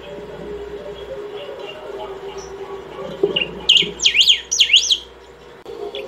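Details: Saffron finch singing without pause to call or train: low background hum, then a brief note and two energetic zigzag whistled phrases, sharply rising and falling, ending with a faint note.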